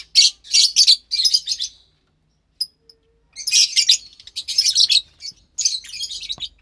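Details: Lovebird chicks, a pair, March 3rd, 2021; bursts of loud, harsh, buzzy chirping in groups, a quiet gap with a single squeak, then renewed raspy calling.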